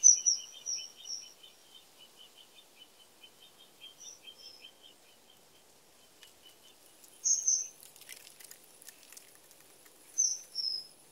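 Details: Several bursts of sharp, high kingfisher whistles, mostly in pairs, spread across the recording, with a lower, rhythmic chipping series from another bird in the first half and some crackling noise later.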